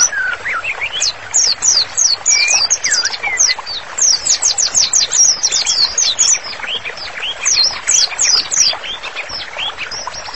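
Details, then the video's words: White-rumped shama in full, constant song, used as a master song for training: rapid runs of sharp descending high notes repeated several times a second, mixed with lower whistled slurs, over steady background hiss. "MURAI BATU GACOR, MASTERANNYA COCOK BANGET UNTUK TERAPI"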